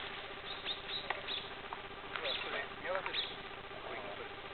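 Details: A flock of about 30 Eurasian siskins, relaxing and preening after bathing, gives scattered short, thin chirps and twitters that overlap irregularly, over a steady low electrical hum.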